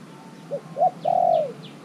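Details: Spotted dove kept as a caged decoy for luring wild birds gives a single cooing phrase: a brief low note, a slightly stronger second note, then a drawn-out steady coo that trails downward. Distant high chirps are heard behind it.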